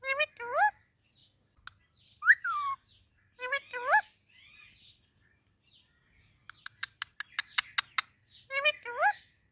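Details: Indian ringneck parakeet talking while greeting baby parrots: groups of harmonic speech-like syllables with upward-swooping inflections recur every couple of seconds, broken by a rapid series of sharp, clicking high chirps near the end.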